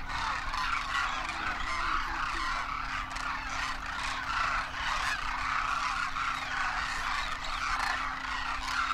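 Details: Wintering wild Demoiselle Cranes in Rajasthan, India, a great flock of adults and first-winter juveniles taking off and flying, fill the air with steady, layered rolling trumpets and honks, a constant chorus without gaps.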